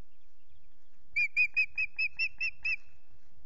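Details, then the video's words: Unringed female osprey at the Loch Garten nest calling for her absent mate: a series of about eight sharp, clipped whistled notes, evenly spaced, over low background noise. "Lonely Mistle calls for Axel but he's a no show"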